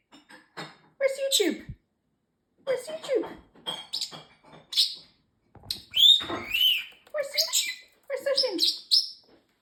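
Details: Male parrotlet kept as a pet, chattering learned phrases: a string of short clipped syllables and squeaky sweeps in clusters, separated by brief silences.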